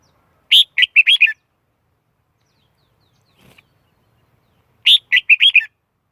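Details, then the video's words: Red-whiskered bulbul delivering the same brisk phrase twice, roughly four seconds apart: a sharp opening note followed by four or five quick, liquid warbled notes; a faint rustle in the gap, otherwise quiet. "Tiếng chim chào mào / suab diab liab quaj cuab tuaj zoo heev li tau"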